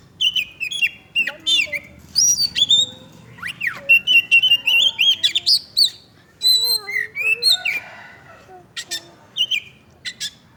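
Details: Oriental magpie-robin, described as bathing and chattering, delivers a long, rich, varied song of whistles, slurred notes and rapid high chips in steady, busy phrases.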